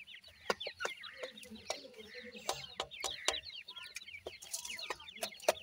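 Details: Chicks of the Irani teetar, a francolin, chatter in a continuous crowd of high, quick, downward cheeps. Frequent sharp knocks punctuate the stream, with some lower warbling notes near the start.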